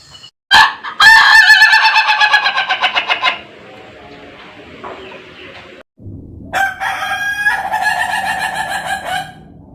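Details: Ayam Ketawa (laughing chicken) rooster crowing: a loud crow breaking into rapid, regular pulses that fade over about three seconds, a quiet pause, then a second crow of steady, stuttering pulses.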